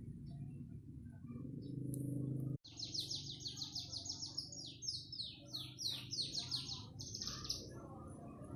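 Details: After a low rumbling noise stops, a panda canary bursts into fast trills of high downslurred notes, changing speed between phrases, with a few sharp chips.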